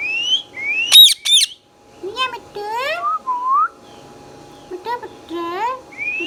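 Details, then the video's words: Pet green Indian ringneck parrot making talking sounds: rising whistles, sharp loud squawks, and wavering harmonic chattering syllables in quick bursts, with short gaps of quiet background hum. "Green Ringneck Talking Parrot"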